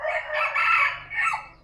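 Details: Sumatran red junglefowl crowing in a farm pen on a morning after feeding, birds perched on roosts: a brief, raspy, strained crow with a drawn middle and a short broken tail.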